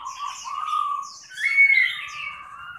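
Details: A large caged Chinese hwamei sings while fanning and flapping its wings: a rich, varied warbling with slurred, overlapping phrases and a bright upward-sliding whistle in the middle.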